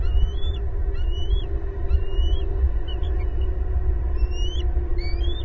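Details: Bald eagles, two adults and two eaglets, calling at their big old nest in a pasture tree in Southwest Florida on 18 April 2022, nest camera: high thin whistled chirps, rising then dropping, repeated about every second over steady low rumble.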